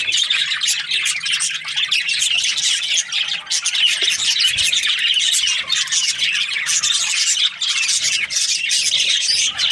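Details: Several budgies chirping in the morning, a constant wash of high, rapid twitters, squawks and warbled notes running on without a break.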